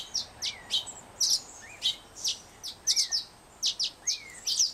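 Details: Fledgling Black-headed Grosbeak in rehabilitation care, not yet able to feed himself, begging for food with soft whistles and trembling wings. Soft rising-then-falling whistles sound about once a second among sharp, high, paired chirps.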